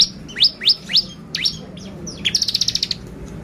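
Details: Excitement lure of a bar-winged prinia: four loud steeply falling high notes in quick succession, a couple of softer ones, then a fast even trill of around ten pulses.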